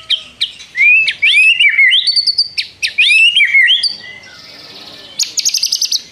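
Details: White-rumped shama singing loudly, its song including imitated prinia notes and long trills: rapid rising and falling whistled slurs, then a sustained buzzy trill and a fast series of sharp high ticks.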